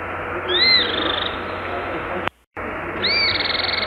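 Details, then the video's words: Cliff flycatcher (Hirundinea ferruginea), song: two thin, high arched whistles about two and a half seconds apart, over a steady hiss of background noise with a brief cut between them. "O Canto do GIBÃO DE COURO (Hirundinea Ferruginea) Bird Song - Cliff Flycatcher"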